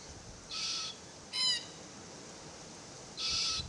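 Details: Immature Forest Red-tailed Black-Cockatoo (Calyptorhynchus banksii naso) calling incessantly from a Marri tree while its parents feed on green gumnuts; three loud, harsh, grating screeches, one sharper and more tonal, in quick succession.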